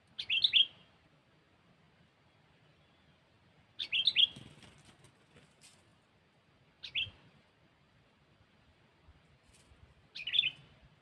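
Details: Sooty-headed bulbul used for lure trapping. Short, loud, bubbly whistled phrases of two or three notes come every three to four seconds, with near silence between them.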